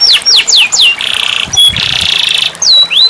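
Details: Canary singing for a silent canary: loud sweeping downslurred whistles, then two dense buzzy rattling trills split by a short whistle, closing with sweeping notes that fall and rise.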